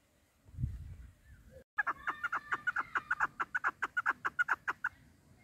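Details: Female chukar partridge, a hunting bird, calling: after a soft low murmur and a brief pause, a steady run of sharp chuck notes starts, repeating a little over twice per second and holding an even pitch to the end.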